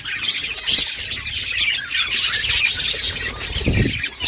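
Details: Budgies playing together, continuous high chirps and squawky chatter from several birds, overlapping without pause, with a low thud near the end.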